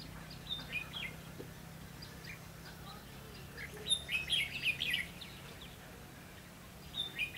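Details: Red-whiskered bulbul at a long-pole trap using a decoy bird, 22 October 2016; scattered high chirps, then a loud run of rapid, bubbling whistled notes, with another short phrase near the end over low background hum.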